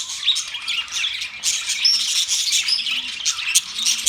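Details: Budgerigars chirping: dense, continuous high-pitched warbling and chattering from several birds, with quick overlapping chirps, squeaks and short upward whistles throughout.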